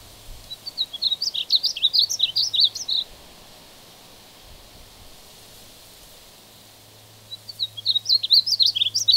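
A male Painted Bunting sings two bright, fast warbled phrases of high, jumbled notes, about two seconds each, separated by a quiet pause.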